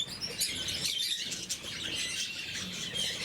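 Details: At the morning feed, several blue-mutation lovebirds keep up a shrill, grating twitter, with a soft flutter and some background rumble under the constant chirps.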